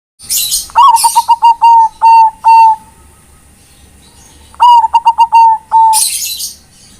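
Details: Zebra dove of the Bangkok type, calling to companions: two loud bursts of rapid, clear cooing notes near one pitch, a rising first note then a stuttering run of short pulses and a longer trailing coo, with brief higher chirps between.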